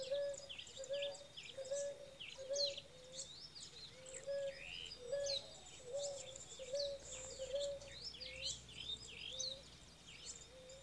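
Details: Male ruddy ground dove singing to mark territory while the female incubates eggs: a series of short low hooting notes repeated steadily, about two per second, beneath a dense chorus of high chirping birds and insect noise.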